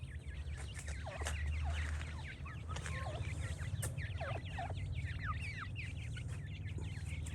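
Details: Francolin chicks peeping together in a dense, overlapping chorus of short, high, downward-slurred chirps that continue without pause for over seven seconds, over a steady low hum.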